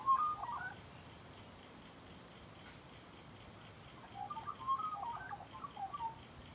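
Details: Close encounter with a magpie: a short whistled phrase, a few seconds of quiet, then a burst of bubbling, fluting warbles.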